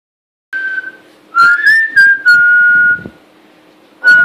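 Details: Pet parrot, a female kept indoors in a home in Quebec, Canada, giving some of her first whistles: clear, steady mid-pitched whistled notes, some sliding upward, in short bursts, followed by a person's excited voice and clapping.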